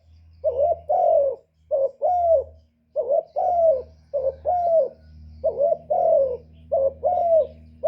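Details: Lure call of a spotted dove for attracting wild doves: a run of paired coos, short then long and rolling, repeated about every second, over a steady low mechanical hum.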